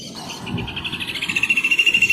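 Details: Rufous hornero song building up: ringing notes start softly, then grow louder and come faster into a steady, pulsing trill that strengthens toward the end, with low background noise.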